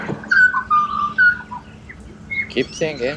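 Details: Pied butcherbird song from Australia: three or four smooth whistled notes in quick succession, followed by rough, scratchy chatter near the end.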